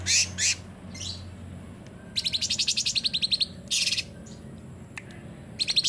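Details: Rapid-fire 'full tembakan' bursts from a sooty-headed bulbul, meant to coax silent bulbuls into singing: two loud opening notes, then long rattling strings of rapid pulses and a final short burst.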